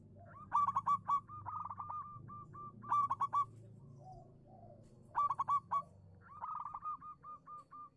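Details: Local zebra dove singing, used as a lure to get silent doves to answer: loud bursts of rapid stuttering whistled coos about every two to three seconds, each trailing into softer evenly spaced coos, with fainter lower cooing from another dove between.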